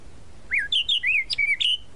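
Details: Song of a tropical mockingbird (sabiá-da-praia): about two seconds of rich, varied whistled notes, rising and falling slurs strung together rapidly with short gaps, the bird loud and close.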